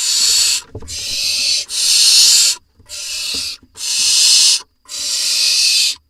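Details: In a nest box in Israel in July 2021, with parents dropping off voles, barn owls give six harsh, breathy hisses of roughly a second each, spaced by short pauses, plus a few soft thumps.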